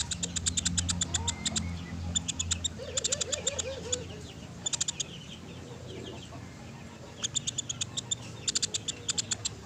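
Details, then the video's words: Woodpecker calling: bursts of sharp, high clicking notes in rapid series, pausing between bursts, over a steady low hum; a brief wavering lower note sounds partway through. "MASTERAN PELATUK SUARA JERNIH"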